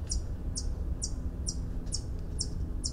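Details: White-eared hummingbird in mountain pine-oak forest: a steady series of short, very high metallic chips, about two per second, over a low rumbling background hum.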